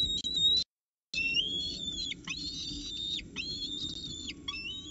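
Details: Peregrine falcons at a nest in Orange, Australia, 12 November 2019, as the male brings breakfast to the female; thin, high whining calls, held steady then dropping in short downward slurs every second or so, brief silence near the start.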